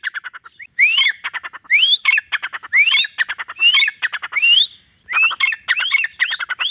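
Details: Tame desi teetar, a partridge kept and trained by its owner, perched beneath a tree and answering the owner's whistle with a series of upslurred whistles interspersed with dry rattling clicks, roughly one phrase per second.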